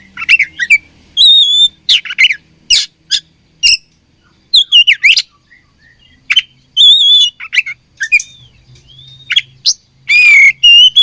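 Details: Oriental magpie-robin, said to be fighting, pours out loud varied song: rich whistles, slurred rising and falling notes, sharp chips and harsh scratchy bursts, continuing with short gaps for over ten seconds.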